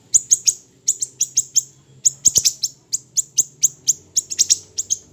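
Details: Small siri-siri bird in a training recording, a steady stream of piercing high ticking chirps, roughly four or five each second, some doubled, over a soft low background hum.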